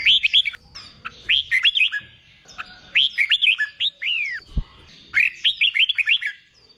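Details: Red-whiskered bulbul song for training newly caught birds to sing in contests: repeated cheerful phrases of rapid, bouncing whistles and down-slurred notes, with one sharp tap partway through.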